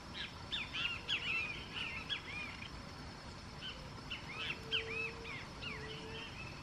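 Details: Plush-crested jays, a flock feeding near Arapongas, Paraná, Brazil; bursts of arched, chirping and whistled notes overlapping from several birds, two busy bouts split by a brief lull, over a steady low background hum.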